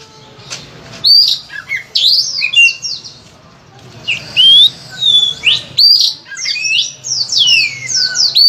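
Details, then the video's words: Oriental magpie-robin (kacer) in full varied song, meant to spur other birds into singing: bursts of loud rising and falling whistles and sharp swept notes, with short quieter gaps and faint background hum. "Masteran Suara Kacer Gacor Volume Ngotot Full Isian, cocok untuk pancingan Kacer Rajin Bunyi"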